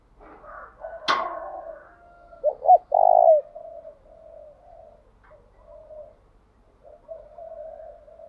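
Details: Spotted dove used as a decoy, delivering its urging call for wild doves: a sharp click, then two short notes and a long rich coo, trailing into quieter soft coos over a low background hum.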